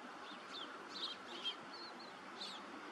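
Bar-tailed godwit giving short, thin, high notes, several in quick succession with a couple of sharper downslurred chirps, over a steady background hiss.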